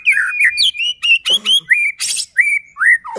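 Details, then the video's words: White-rumped shama song for provoking other shamas to sing: evenly spaced clear whistled notes, mostly rising slurs, with one short harsh burst. "Murai batu gacor AMPUH buat PANCINGAN murai batu agar bunyi JADIKAN burung murai EMOSI"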